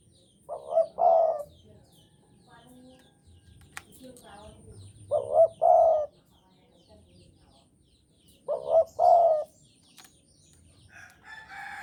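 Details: Spotted dove of the Javanese type, in heavy breeding condition, delivering deep two-part coos, a brief note then a longer burred one, roughly every four seconds, with faint clicks and soft murmuring between phrases.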